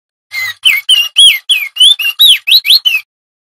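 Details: Male crested darkeye singing loudly in a continuous lively 'ngerol' style, used as a tutor song for other songbirds: a quick run of eleven clear whistled notes, each sharply bent up or down, in under three seconds.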